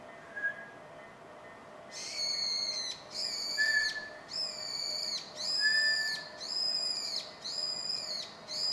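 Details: Brown-eared bulbul, a familiar wild bird in Japan, calling on 21 January 2024: loud, harsh, ringing calls about once a second, each a slightly falling screech, with faint short whistled notes in between.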